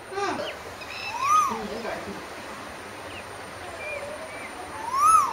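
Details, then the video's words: Asian koel singing, two rising-then-falling whistled notes about four seconds apart, with faint other bird notes and background sounds in between. "குயிலின் அமுத கானம் - 3 | Singing Asian Koel - 3"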